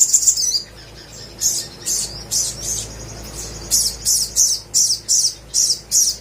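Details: Crimson sunbird singing a 'gacor' song to spur reluctant birds: loud, high, shrill chirps repeated about twice a second, with a brief quiet gap early on.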